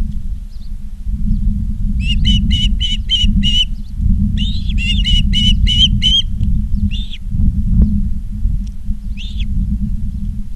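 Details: Ospreys at Charlo, Montana, on a live nest cam, 19 August 2023, 16:05: two bursts of rapid, high whistled chirps, each about six notes, then a few single chirps, over a steady low electrical hum.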